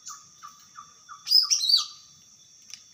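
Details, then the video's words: Wild greater green leafbird giving a loud, tangled phrase of rapid high whistled slurs, preceded by a few soft evenly spaced chirps, over a faint high steady hum. "Burung Cucak Ijo Gacor Di Alam Liar"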